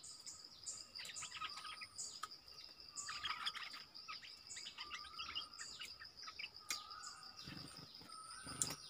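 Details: Streaked bulbul, a wild forest bird, with a whole family group present and a call thought to be from a male. Bursts of short, sharp chirps and clipped notes come in irregular clusters over a steady high insect drone.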